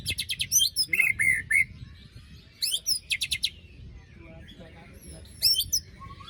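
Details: White-rumped shama after moulting, sung as a lure for a silent bird: bursts of piercing, shrill rattling notes alternating with short whistled slurs, in clustered phrases with brief pauses between them.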